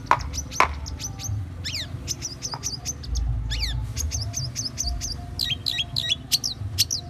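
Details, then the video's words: Long-tailed shrike in full song with goat-imitation material: rapid, varied high chirps, descending ladder-like notes and short sharp clicks run almost nonstop over a steady low background rumble. "Cendet gacor materi kambing"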